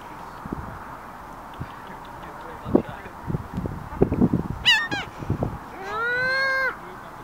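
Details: Gulls calling: a sharp descending cry, then a long, strained, nasal call with stacked harmonics lasting under a second, over a background of scattered knocks and low rumbling noise.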